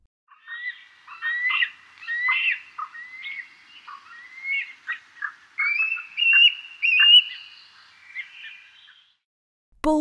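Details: Bald eagle at a zoo gives a thin, high, squeaky chatter of quick piping notes and rising whistles for about eight seconds, ending in a sharp click.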